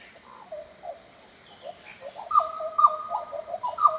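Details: Black Butcherbird (Melloria quoyi), a tropical northern species of Australia's Top End, Northern Territory, giving rich, mellow piping whistles: first soft and scattered, then a louder run of clear notes about twice a second.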